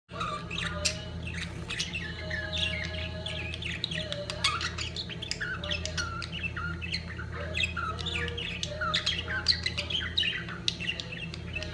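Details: Budgerigars at the peak of mating, a dense, continuous chatter of many birds: warbled, squeaky notes and short sharp squawks overlapping throughout, over a steady low mechanical hum.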